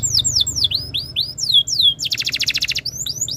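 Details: Canary master song to set other canaries singing: a series of falling whistled slurs, then a loud rapid rattling trill and more chirped sweeps.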